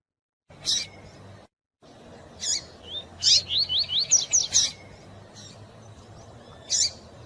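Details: Double-collared seedeater in the fast tui-tui style, mixed with female calls meant to stimulate a male. A few piercing high chips lead into a rapid burst of about eight upslurred whistles, then a final lone chip over low background hiss.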